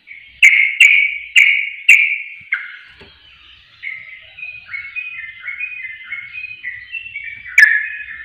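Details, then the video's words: Four emphatic chirps from a sooty-headed bulbul, then a bubbly, stepped warble of short rising and falling notes, ending with one more sharp chirp. A lure to stir birds into singing. "Pancingan Trucuk Bahan Susah Bunyi Akan Langsung Emosi Panas"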